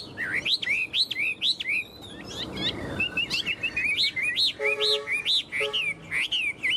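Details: Tame caged Chinese hwamei that clings to the cage and flicks its wings and tail sings loud, clear whistled phrases of rising-and-falling notes, repeated rapidly in quick bursts, with a few lower, harsher notes mixed in near the end.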